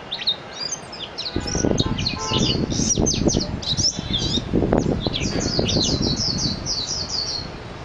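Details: Mejiro, or Japanese white-eye, giving a long run of high, twittering, slurred notes that tumble over one another. Heavy low rumbling and knocking noise runs through much of it.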